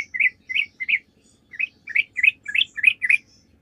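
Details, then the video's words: Sooty-headed bulbul singing as a lure to make other bulbuls respond; three liquid notes, a short pause, then about seven more quick warbled notes in an uneven rhythm. "PANCINGAN TRUCUK GACOR"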